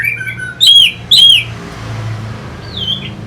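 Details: Orange-headed thrush used as a provoking lure for fighter birds: two loud, sharp, down-curving ringing notes, then quiet, with one faint falling whistle near the end.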